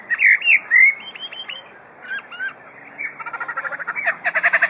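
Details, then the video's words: Captive superb lyrebird, Adelaide Zoo, Australia, mimicking birds and machinery: loud ringing whistles, a few looping phrases, then a rapid rattling chatter of evenly repeated notes. "Adelaide Zoo Lyrebird "Chook""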